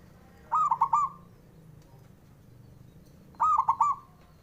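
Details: Two cooing phrases about three seconds apart from a male local Javanese zebra dove, whose song is meant to anger rivals and make them reply; each is a quick burst of soft, rolling notes over a low background rumble.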